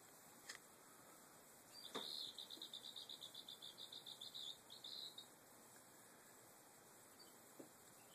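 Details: A young hand-raised Eastern Phoebe complains after a long day exploring outdoors: a rapid string of about fifteen high, scratchy notes, four or five a second, over a steady insect drone and a few soft taps.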